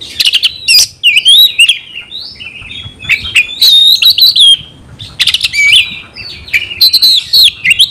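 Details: Caged Oriental magpie-robin (kacer) in loud song meant to spark a fighting response: clusters of sharp clicks and chips alternating with wavering, whistled and warbled phrases, pauses of about half a second between bursts.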